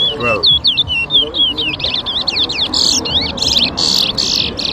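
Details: A towa towa, or chestnut-bellied seed finch, singing in a bird whistling competition at Rosehall, Guyana in 2023: a lively stream of high twisting whistles turning into buzzy rasping phrases, with a voice at the start.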